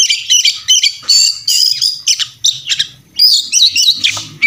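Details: Oriental magpie-robin singing its combative kacer song, insistent and crammed with fill phrases, meant as tutor material: high, scratchy bursts and clear whistled slides in irregular bursts, with a faint low murmur underneath.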